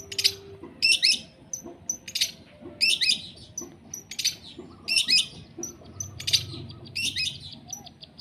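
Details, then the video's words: Caged long-tailed shrike being sunned, delivering sembur pastol song: loud bursts of scratchy, buzzy chatter mixed with brief thin whistles, grouped in phrases about one second apart, with faint low background noise. "JEMUR CENDET SEMBUR PASTOL"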